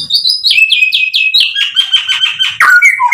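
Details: White-rumped shama song used as a lure to provoke other birds: rapid series of repeated slurred whistles descending from high to mid pitch, then faster repeated notes ending in a sharp lower phrase.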